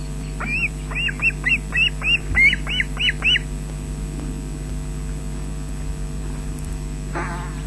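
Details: Osprey at the Loch Garten nest in Scotland, webcam, 20 June 2012, 13:24, adult arriving with fish for chicks; a burst of about ten shrill whistled cheeps in quick succession, then quiet and one harsh rasping note, low hum behind.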